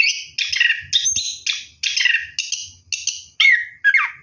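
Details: Orange-headed thrush singing at night while bathing, delivering a string of short rich warbled phrases repeated about every half second, each falling slightly, ending in two downslurred whistles.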